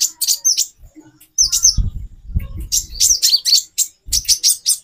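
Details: Female brown-throated sunbird calling to arouse the male: short clusters of high, thin chirps separated by gaps, with a stretch of low rumbling or handling noise underneath.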